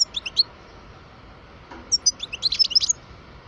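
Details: Parva European goldfinch, twelve years old, chirping a few quick high notes, pausing, then a denser twittering run.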